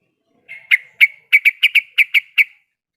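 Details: Female sooty-headed bulbul, in breeding condition, calling a male. A soft lead-in note is followed by about nine loud, crisp, clipped chirps delivered in quick, slightly uneven succession, against clean silence.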